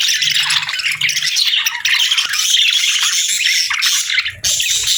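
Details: Parakeets over a warm winter-morning meal give nonstop harsh squawks and chirps, a loud unbroken flock chatter with a short dip near the end.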